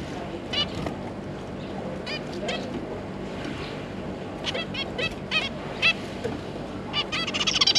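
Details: Zebra finch pair with their three juveniles, recorded 9 June 2022, trading short, nasal, toy-trumpet beeps, singly and in quick clusters, growing busier toward the end over a low steady hum.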